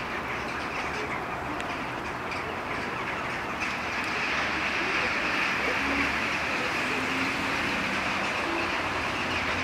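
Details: Many jackdaws at nearly dark, coming down to tree level and moving tree to tree before settling to roost: a dense din of overlapping short sharp 'chak' notes forming a steady roar, with a low background rumble.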